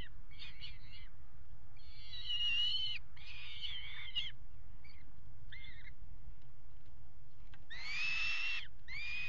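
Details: Peregrine falcon pair copulating on the ledge at a water tower nest box in Axel, Netherlands, 5 February 2018: series of long, grating wailing calls with short breaks between, some shorter clipped notes, over a constant low hum.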